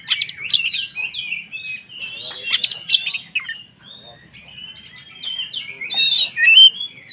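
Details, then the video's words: White-rumped shama (kacer) singing to provoke other shamas: loud mixed bursts of harsh notes and whistles, a quieter stretch of sustained thin whistles mid-way, then clear rising and falling whistled phrases at the close. "SUARA BURUNG Kacer gacor untuk PANCINGAN KACER agar EMOSI dan KONSLET"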